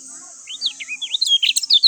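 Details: Lemon-bellied white-eye song that builds from soft rising and falling whistles into a loud, hurried cluster of sharp high chirps.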